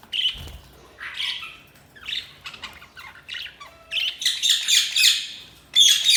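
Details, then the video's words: Pet budgies chattering with busy, high scratchy chirps and squawks, overlapping bursts that grow denser toward the end, plus a brief low hum in the middle. "Budgies Sounds| Budgies Chirping sound"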